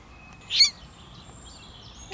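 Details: Common moorhen chick found alone near water during a rainstorm, calling for its parent: one sharp, high, bright chirp, then steady rain hiss with faint high tones.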